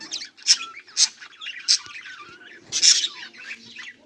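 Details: Budgerigars on 18 July 2023: a few loud, clipped high chirps at irregular intervals stand out over quieter chattering and short whistled notes.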